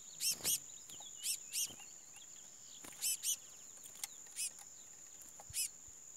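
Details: Chestnut-bellied seed finch (curió) gives short, bright, high notes, mostly in quick pairs, repeated at uneven intervals over a steady high-pitched whine.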